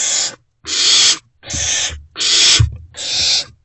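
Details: Early-morning great horned owl nestlings in a box, 3 March 2024, not yet fed as an adult returns: five loud, breathy, raspy screeches in quick succession, each about half a second, faint bumps underneath.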